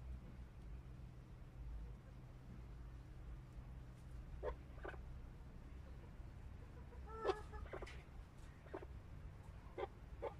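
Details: Chukar partridges give scattered short, dry clucking notes, a few in quick pairs and one louder cluck midway, over a steady low hum.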